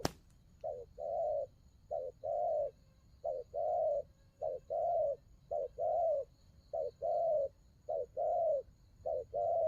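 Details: Đồng gù cooing from a spotted dove: a brief click at the start, then about eight deep, soft paired notes, each a short note leading into a longer hum-like coo, repeated steadily.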